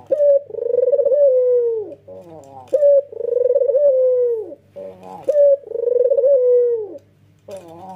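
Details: A male Barbary dove (white, red-eyed) coos while bobbing, giving long, steady, mellow coos, each about a second long, repeated every two seconds or so with short stuttering notes between; played to get other doves cooing.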